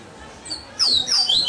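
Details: Captive double-collared seedeater in Salvador, Bahia, Brazil, breaking in after near-quiet with a brief run of piercing high whistles and quick downward-sweeping notes.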